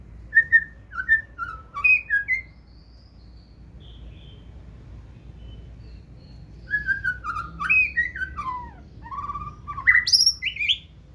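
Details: White-rumped shama kept in a cage, 2024 season, singing forest-style: clear whistled two-note phrases, a pause of several seconds, then a rich burst of sliding, swooping whistles ending high.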